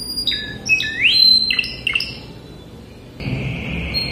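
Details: Spanish Timbrado canary singing its classic song, meant for teaching young birds: rapid metallic trills and sweeping notes, then a steady bell-like roll.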